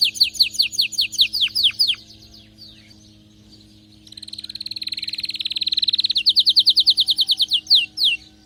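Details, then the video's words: Canary in excited, fired-up song: a string of quick down-slurred whistles, a soft, quiet pause, then a buzzy rapid trill that grows louder and breaks into clear, repeated sweeping notes. "غناء كناري هايج ومولللعCanario -canary"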